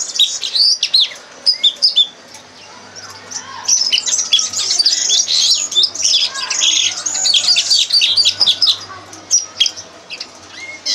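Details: Red crossbill lesson song for teaching young birds: a dense, fast run of high chirps, buzzy trills and short twittering notes, bursts repeated with brief pauses, over a faint low hum.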